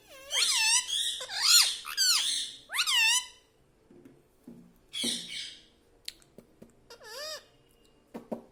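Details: Pet parrot saying "mummy" and "papa": a rapid run of four loud, buzzy, swooping speech-like syllables, then softer scattered utterances, light taps and clicks in a quiet room.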